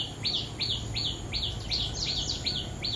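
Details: Bulbul singing busily near a territory owner: a fast run of sliding whistled notes, each dropping in pitch, about three per second, loud and steady, with a faint high whine behind.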